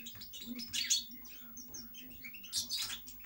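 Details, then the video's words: Short burst of European goldfinch song, tinkling twitters and a couple of dense scratchy buzzes, with a steady faint low hum. "Cantec de Sticleti Goldfinch song"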